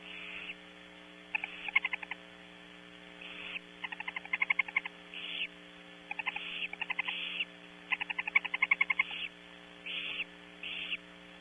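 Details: Female barn owl with owlets in a nest cavity at Audubon Starr Ranch, California: short, harsh hissing bursts every second or two, alternating with quick runs of rapid dry clicks, over a steady low electrical hum.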